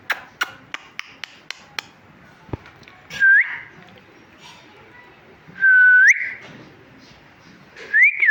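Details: A talking parrot gives a series of sharp clicks, then three short upward-sweeping whistles spaced roughly two and a half seconds apart, bright and clear over faint room noise.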